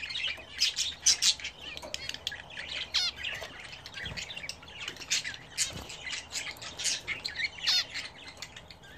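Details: Pet budgerigars at bath time in a home aviary: rapid high twittering and squawky notes from several birds, steady throughout, with faint low thumps in the background.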